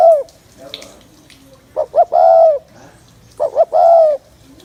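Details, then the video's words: Spotted dove cooing to excite males: twice, two short rising notes lead into a longer, mellow, drawn-out coo, the phrases about 1.7 seconds apart, in a quiet setting. "Tiếng Chim Cu Gáy Gù Kích Bổi Mau Lên Lửa"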